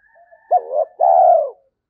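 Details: A single coo phrase from a Spotted dove decoy meant to get captive birds cooing back: a sharp short start rising into a hooted note, then a sustained, mellow, gently falling coo.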